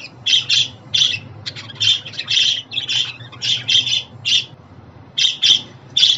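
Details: Chattering budgerigars, for male and female pet budgies alike, produce steady short harsh chirps, often in pairs or threes, spaced irregularly through the stretch.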